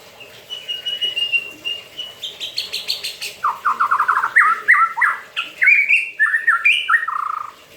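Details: White-rumped shama in a cage, singing even while bathing: a steady high whistled note, then a fast stuttering series of repeated notes and rich descending whistled phrases.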